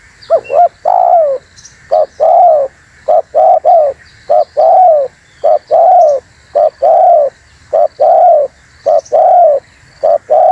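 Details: Spotted dove call used to lure wild doves and provoke rivals: short paired notes followed by long, slightly falling coos, repeated in a steady series through the clip over a constant background hum.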